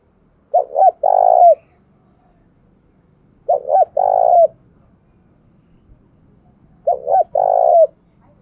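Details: Trained decoy spotted dove repeating a compact cooing phrase, a quick double note run into a longer rough coo, three times at roughly three-second intervals over a quiet, faintly hissing background.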